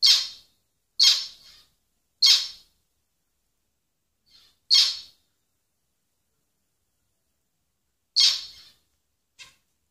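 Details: Short, nasal, trumpet-like notes from a zebra finch: three harsh calls about a second apart, then a gap, a single call, a longer silence, and one more call followed by a faint clipped note.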